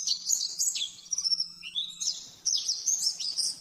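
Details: Oriental white-eye rapid 'nembak-nembak' master song for caged birds: bright high twitters, a falling slurred whistle, then a fresh burst of fast chattering after a short gap; faint low hum.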